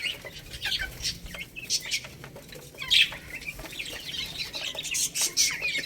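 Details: Young chickens eating rice produce high, piping peeps in uneven runs, several overlapping, over a busy background of small sharp clicks.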